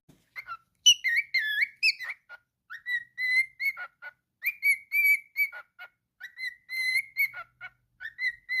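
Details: Pet cockatiel singing a long, varied whistled tune: steady tones, rising slurs and short dropping notes, with brief breaks between phrases and no other sounds.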